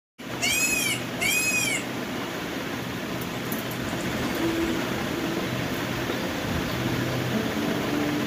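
An Indian peafowl gives two loud, nasal, wailing calls in quick succession, each under a second, then falls silent over steady background hiss.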